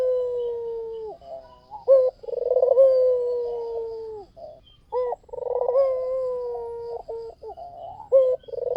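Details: White Barbary dove giving full song as a lure: long low coos sliding slightly downward, broken by short clipped notes, with rapid purring rolls between.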